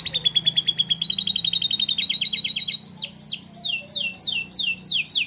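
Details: Canary singing lovebird-style phrases as a master song for young canaries: a rapid, even high trill for nearly three seconds, then a slower series of loud downward-swooping whistles roughly every half second, over a steady low hum.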